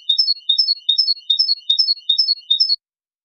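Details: Goldfinch tutoring song: a short tinkling motif of three or four high notes repeated steadily, roughly every 0.4 seconds, in a very regular pattern.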